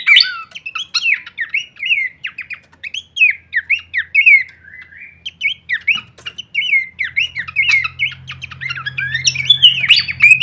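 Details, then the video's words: Long kleperan sequence of Horsfield's babbler, used as masteran for songbirds: continuous chattering whistles with rapid note changes, a short quieter stretch midway, then lively overlapping phrases over a faint low drone. "masteran andalan khas burung pelanduk semak suara full variasi kleperan"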